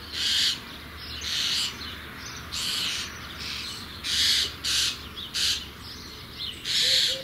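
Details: Nestling common starlings, soon to fledge, give harsh, hissing rasps in half-second bursts, about eight of them at an uneven pace, over a faint low background hum.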